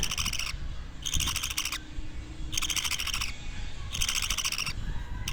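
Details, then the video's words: Pet budgerigar chick, two weeks old, producing four coarse, rattling buzzes of roughly half a second to a second each, alternating with short quiet gaps, low indoor rumble behind. "Sounds baby parakeets make"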